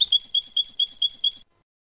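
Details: European goldfinch 'limpio' song from 2019: a steady string of seven or eight bright, bell-like paired notes at an even pace, cut off cleanly after about one and a half seconds.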